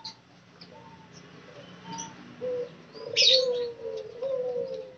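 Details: Spotted doves kept in a group cage under daily care give a few low, drawn-out coos in the second half, with a sharp high chirp burst and light background hum.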